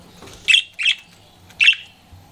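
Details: Three quick bright chirps from a flirting pet budgerigar, the first two close together, the third after a short pause, in a quiet indoor setting.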